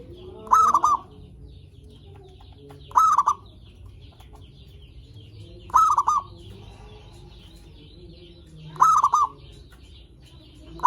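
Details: Repeated zebra dove song intended to lure other zebra doves and make them sing: five short rising-then-stuttering cooing phrases, spaced about every three seconds, with faint clicks and quiet background.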